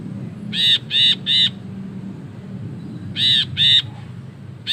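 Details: Ashy bulbul in long ngekek chatter: two tight bursts of three and two rasping, nasal notes in quick succession, separated by a pause, with a faint low hum behind.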